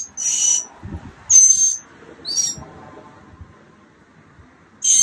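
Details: Nearly fledged mockingbird chicks on day 15 of a nest project, March 28th 2022, giving four short, rasping hiss-like calls at irregular intervals, with faint low rustling between them.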